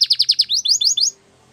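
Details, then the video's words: Male canary giving a short burst of song: five quick descending notes, then four rising slurred notes, ending after about a second. "Canary Sounds Male | The Best Canary Singing"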